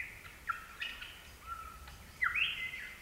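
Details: Lyrebird singing by Gibraltar Creek in the ACT: ringing whistles, some flat and sustained, some dipping, ending in a bright upward leap followed by a long falling slur, over a quiet natural backdrop.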